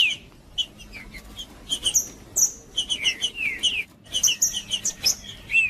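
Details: Singing green-winged saltator (trinca-ferro), macheando and singing to warm up other birds. Clear falling whistled notes come in clusters, some doubled, mixed with thin high chips and a short silent gap near the middle.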